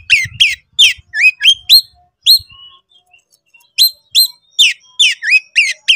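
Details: Oriental magpie-robin, 'konslet' style, in high excitement calling a rival to fight: crisp swooping whistles in quick series, a pause of silence midway, then the rapid whistled notes resume.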